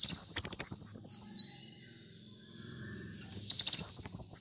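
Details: Kolibri muncang sunbird: a thin, fast descending warble ends, a quiet gap follows with faint low background hum, then a fresh shrill phrase begins.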